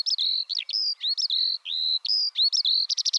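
A Eurasian skylark pours out a high, unbroken stream of chirruping, slurred whistles that ends in a fast run of rapid trilled notes. No other sounds intrude.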